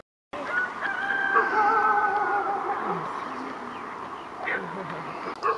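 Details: A rooster at dawn in Imsil, North Jeolla, Korea, gives a long, strained crow that holds steady, then drops away at the end.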